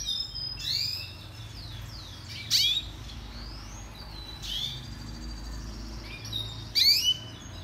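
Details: Red siskin (Spinus cucullatus) song for song training: repeated high twittering phrases of rising whistles and dry buzzy notes, loud bursts around two and a half and seven seconds, soft low hum behind.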